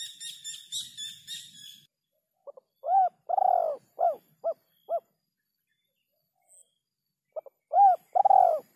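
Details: After a short buzzy rasping sound, a spotted dove gives a kuk 3 sequence of mellow coos, one long drawn-out coo among several short ones, then a pause and another three-note phrase.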